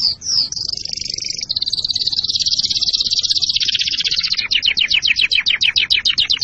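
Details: Canary singing to prime birds for mating and instruct chicks: two quick upslurs, a sustained high rattling trill easing lower, then faster pulsed notes repeated in a clipped run.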